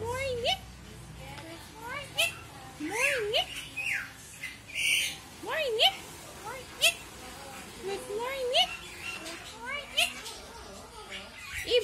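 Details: Talking pet bird giving a string of short, rising, swooping vocal notes and clicks, repeated every second or so, with scattered sharp squawk-like bursts throughout.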